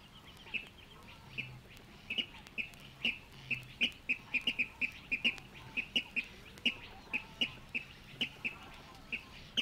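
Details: A water rail in the Matsalu reed beds gives a run of sharp, squeaky notes, two or three a second at an uneven pace, over a faint low hum.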